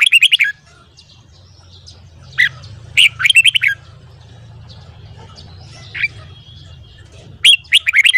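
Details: Morning song of a red-whiskered bulbul for voice training: short clusters of crisp, high chirping notes at the start, middle and end, with single isolated chirps between and a faint low hum beneath.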